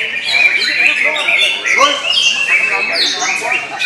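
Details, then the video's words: Greater green leafbird at a songbird competition arena, kept well fed on crickets, pours out a rich, fast medley of high whistles, chattering trills and squawky notes, with other birds and people talking in the background. "Kunci Cucak Ijo Main Hyper setting kenyang cucak ijo"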